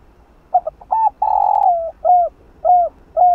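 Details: Spotted dove cooing as a decoy for a caged bird: a few clipped stuttering notes, then a long rough drawn-out coo sliding down, followed by three evenly spaced short hooked coos.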